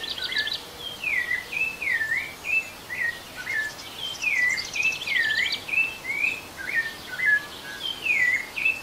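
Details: Rufous-bellied thrush song, the style called canto 38, played to get a kept thrush singing. Clear, fluting whistled phrases rise and fall in quick varied slurs, with short pauses between phrases and faint background hiss.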